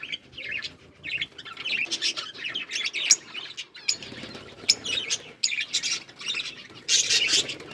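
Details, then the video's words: Budgies eating green food, keeping up a steady, high, scratchy chattering with quick chirps and occasional rustling. "Budgies parrot eating green food birds chirping sounds"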